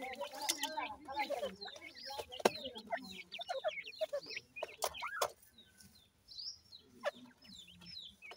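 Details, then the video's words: Feeding grey and painted francolin chicks: rapid high chirps and soft clucking in a dense flurry, with sharp knocks, then thinning to a few isolated peeps toward the end. "dakhni teetar baby khurak, bhura teetar chicks feeding"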